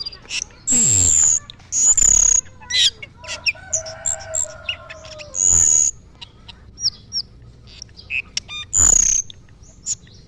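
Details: Asian glossy starling in lively song: piercing high whistles held for about half a second, mixed with quick chirps, a lower falling whistle and bursts of squeaky chatter, repeated irregularly over ten seconds.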